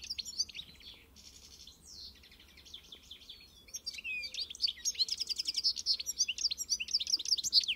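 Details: Encarte song of a pintassilgo, the European goldfinch Carduelis carduelis: opening twitters and a sweeping phrase, then a brief lull before dense, fast tinkling trills build louder toward the end.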